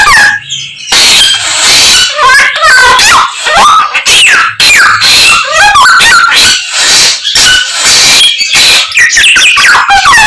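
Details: Samyong producing a long mimicking song that borrows many birds' voices: after a short quiet start, a rush of varied whistles, sweeping slurs, chips and rattles in quick succession.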